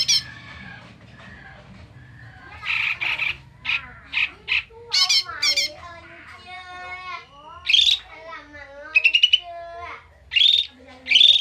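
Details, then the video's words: Agitated bulbul, locally called koto or cucak mini, singing angrily as a lure: a run of harsh noisy chatters and squawks with bright harmonic notes and quick rising whistled slides, loud bursts clustering toward the end over a faint low hum. "PANCINGAN BURUNG KOTO/CUCAK MINI"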